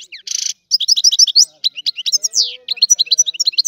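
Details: European goldfinch of Sicily in the rare 'antico' song: a short harsh buzz, then fast sequences of tinkling, sliding twitters and rolling chirps at high pitch, clear and clean.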